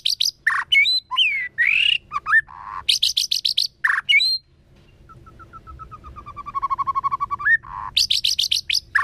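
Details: Forest-voice song of a white-rumped shama, meant to provoke other birds, in the 'kéo thuốc lào' style: loud clipped chips and looping whistles, then a long, fast run of even, low, bubbling notes rising at the end, before sharp chips resume.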